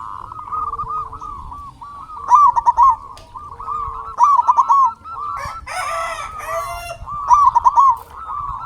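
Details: Local zebra doves used as a lure to stir other doves into singing and breeding mood: overlapping soft trilled coos run continuously at mid pitch, with a louder nearby bird giving stuttering cooing bursts about every two to three seconds.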